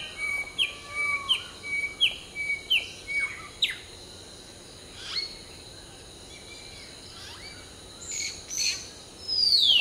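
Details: Hill myna in the dawn chorus, preening between phrases: a quick run of about ten short, sharp whistled notes in steady rhythm, then a pause and a few higher whistles ending in a bright downward slide.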